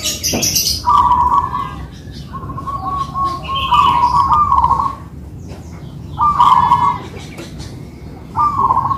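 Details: Two kept zebra doves of a local type duetting: bursts of vibrant trilled cooing alternate with quieter gaps, several phrases over nine seconds, with scattered higher chirps and a constant low background rumble.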